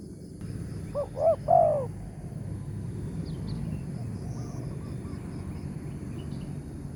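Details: Morning coo of a wild spotted dove, a big-voiced 'tarik akar' caller lured with a decoy. One clear phrase of three hollow coos rises over a steady hiss of background noise, followed by a faint echoing phrase.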